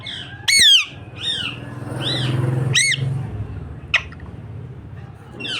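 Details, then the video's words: A parrot kept indoors utters scattered sharp, downward-curving squawks and brief chirps, a few seconds apart, over a low rumbling hum in the room. "Chirping birds"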